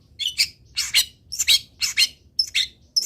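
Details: Long-tailed shrike song used as a master recording to train other birds to sing: harsh, scratchy high notes in paired bursts, repeated about every half second, with a low hum behind.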